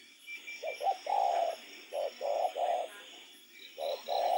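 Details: Spotted dove cooing at night: soft hollow notes, two short coos leading into a longer sustained one, the phrase repeating after a brief pause, with faint high chirping and hum in the background.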